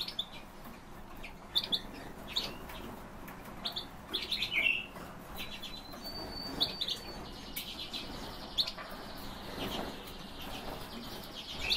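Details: Captive Bohemian waxwings kept as cage birds: scattered short chirps and clicks at first, then a long run of high, thin, buzzy trills that overlap and continue for several seconds.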